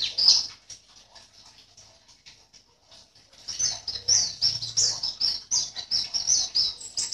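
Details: White-eye kept in a cage in Sambas, West Kalimantan, entered in an online singing contest. A loud chirp opens, then quiet scattered notes, then a busy stream of high, sweet twittering from about three and a half seconds.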